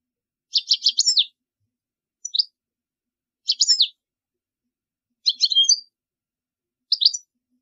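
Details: European goldfinch song for teaching young birds: short bursts of rapid tinkling chirps, five phrases roughly every one to one and a half seconds, each a quick cluster of high notes.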